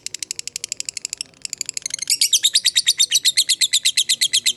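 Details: Lovebird fighter singing a long ngekek chatter, meant as a lure to draw other lovebirds to answer: fast harsh high chips about three per second, softer at first, then louder and denser after a brief pause.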